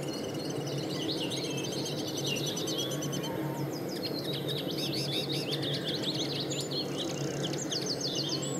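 Linnets twitter in quick, high, chattering runs of varied notes that overlap throughout, over a steady low rumble of wind or distant noise.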